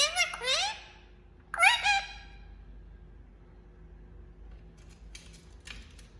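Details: Indian ringneck parakeet making sounds: two quick bursts of harsh, rising and falling chattering notes in the first two seconds, followed by near quiet with only faint clicks and scratches.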